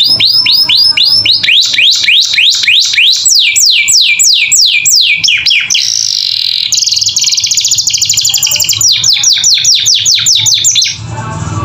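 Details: Captive canary singing persistently with a varied, filled-in repertoire, recorded as master training audio for other caged birds: fast series of bright sweeping whistles, a buzzy rolling trill in the middle, then quick looping notes again.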